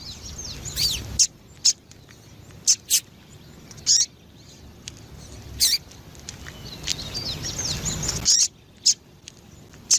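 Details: Female double-collared seedeater, a very vocal caller kept to stimulate males, giving short sharp high chips at irregular intervals, roughly one to two per second, with faint thin twittering between them and a low background hiss.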